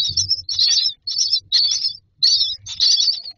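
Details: Myna young begging for food in a nest box, making loud, grating, hissy bursts in quick pairs, with low thumping movement in the box.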